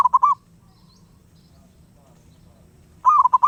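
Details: Wild zebra dove cooing nonstop: a rapid rolling phrase of quick pulsed notes at the start, a quiet gap, then another loud bubbling coo phrase near the end, with a faint low hum.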